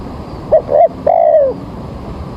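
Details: Spotted dove heard in the morning at a trapping spot as rain threatens, giving one phrase: two brief soft coos followed by a longer, smoothly falling coo.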